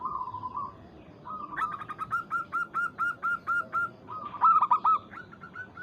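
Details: Local zebra dove calling a rival as a lure: a soft trilled coo, then a long, steady series of about ten clear, evenly spaced staccato coos, closing with a louder rapid burst.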